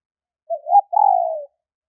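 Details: One phrase from a female spotted dove calling to arouse males: soft rising lead notes, a brief pause, then a steady, slightly falling coo lasting about half a second. Clean and quiet otherwise.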